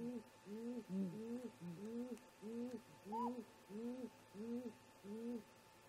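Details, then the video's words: Before dawn, around 04:25, great grey owl parents converse near their snag nest: deep, low hoots pulse rapidly in a regular train, with a single higher upslurred whoop heard midway. "Great Gray Owl - Parents Have a Talk"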